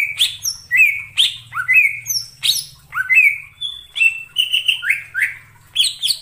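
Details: Cucak ijo song played as a lure for bird trapping, clear and rich: quick run of whistled, slurred notes, sharp upward and downward sweeps and bright chirps, nearly continuous, with a faint low hum in the background.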